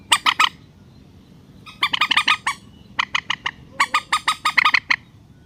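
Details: Rail, relaxed call meant to lure birds down into nets: short burst of harsh notes, a pause, then longer rapid chattering runs of rasping squawks with a nasal tone.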